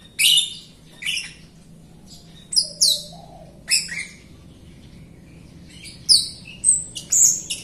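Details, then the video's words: Jalak Rio myna singing actively, used to prompt reluctant, newly bought Rio birds into singing; bursts of bright, buzzy, high chattering notes separated by short pauses, with one lower drawn-out whistle in between. "JALAK RIO GACOR untuk pancingan RIO RIO BAHAN OMBYOKAN & MALAS BUNYI"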